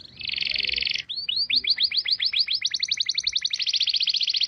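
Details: White-rumped shama song from a clear-sound training recording: a one-second buzzy rasp, then a fast run of short sweeping notes that quickens into a dense rattling trill, clean with no background noise.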